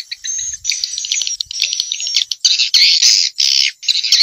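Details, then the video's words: Swiftlet calls from Vietnam, played to attract swiftlets to bird houses: rapid buzzy, twittering chatter at high pitch, broken into short bursts of roughly half a second with brief gaps. "Tiếng chim yến kêu đã được chứng minh ||Tiếng chim yến kêu từ Việt Nam"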